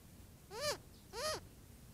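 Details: Adolescent Cooper's hawk begging from its mother at a watering hole during hot weather: two drawn-out, harsh, down-curving squealing cries about half a second apart, against a quiet low rumble.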